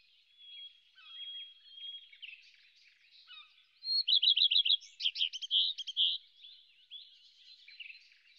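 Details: Whinchat (Saxicola rubetra), song.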